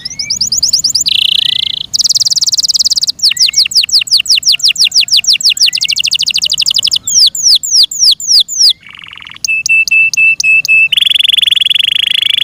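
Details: Loud, varied Yorkshire canary song with buzzy rolls, fast runs of falling whistled notes, a lower rattle and a string of evenly spaced clipped chirps.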